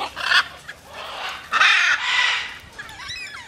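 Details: Free-flying macaws calling: rough, grating screeches in three bursts, the last two longer and louder, followed by faint thin notes at the end.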